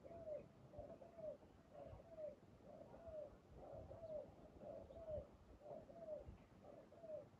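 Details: Spotted dove, trapped with a decoy, cooing steadily. Soft two-part phrases with a brief lead note and a drawn-out falling coo come about once every second, evenly spaced, over quiet low rumble.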